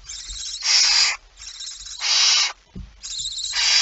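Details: Barn owl at the nest on 19 September 2019, 05:28; three drawn-out wheezing hisses, each about half a second, rising from soft onsets, with a single low knock between them.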